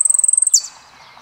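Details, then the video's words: Saffron finch song: a rapid, very high-pitched trill of about thirteen evenly spaced notes in half a second, ending in one sharp descending note, then quiet. "JILGUERO ARGENTINO"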